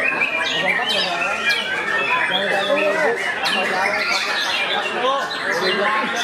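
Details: Competition song of a young white-rumped shama, with stadium and community classes held 30 July 2023. Loud, continuous cascade of sliding whistles and harsh notes from several birds, with clapping and music nearby.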